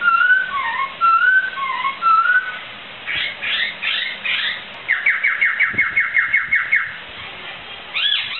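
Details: Poksai, a laughingthrush, singing energetically as tutoring material: clear whistled phrases, a cluster of scratchy notes, then a rapid trill of about ten repeated descending notes, ending with a short squeaky call.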